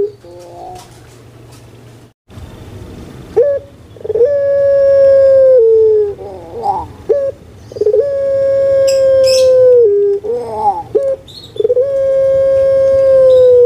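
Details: Puter pelung collared dove raised in Indonesia, delivering repeated long, steady, mellow hoots, each ending in a falling dip and followed by a short gurgling warble, with faint high bird chirps between phrases.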